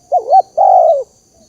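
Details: Spotted dove lure call for trapping wild birds: a single phrase of two quick, looping low coos followed by one longer, steady, slightly falling coo, then silence.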